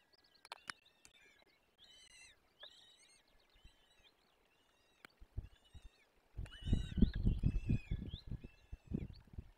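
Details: Peregrine falcon nestlings begging as they are fed, forest nest, Barycz Valley, Poland, 17 April 2024: short harmonic squealing notes in bursts with a few clicks, then louder overlapping wails over heavy rumbling, rustling movement noise.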